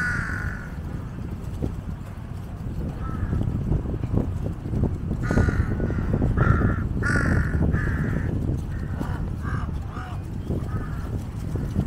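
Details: Large flock of jungle crows (Corvus macrorhynchos) gathered like vultures around an Asian water monitor feeding on a giant snakehead carcass, waiting for scraps; harsh, hoarse caws in short bursts from several birds, over a steady low rumbling background.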